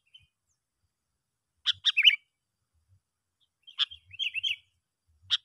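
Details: Call of a Sooty-headed bulbul, as used for luring other bulbuls: widely spaced short phrases of sharp notes and a quick warble, one longer warbling run near the end, otherwise quiet.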